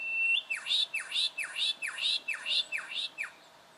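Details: Juvenile brown goshawk, Victoria, Australia, October 2011: a steady held tone, then seven sharp, downslurred, piping notes repeated about twice a second, each with a bright upper peak.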